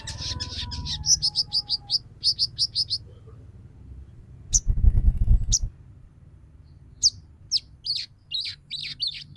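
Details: Female sogon calling to males, used as a lure to make males sing and come into breeding condition; quick run of high sharp chirps, then a burst of low rumbling noise, then scattered thin chirps.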